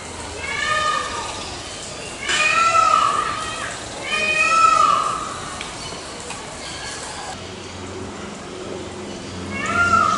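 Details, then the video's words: Loud, repeated peafowl cries, each a wavering, mewing wail of about a second, three in quick succession and another at the end. A faint low hum enters in the second half. "SOM DO PAVÃO, PAVÃO CANTANDO"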